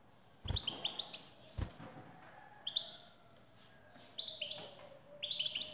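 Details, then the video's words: Male European goldfinch singing after a female's call: repeated short bursts of tinkling, buzzy twitter, four or five phrases in a few seconds, with a couple of sharp clicks near the start. "حسونك سيغرد مع هده البثبثة Goldfinch singing"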